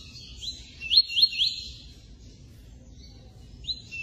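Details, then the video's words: A Double-collared Seedeater sings a quick run of three or four high, upslurred whistled notes. Brief twittering phrases follow, over a low background hum. "Coleiro Papa capim"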